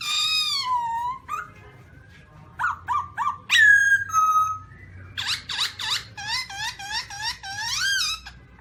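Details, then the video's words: In 2017 a black-throated laughingthrush gives a long, falling whistle, stuttering short notes and a loud slurred whistle. These are followed by a rhythmic series of arched, chattering notes at about two per second. "Black-throated laughingthrush (Garrulax chinensis): Funny Sounds"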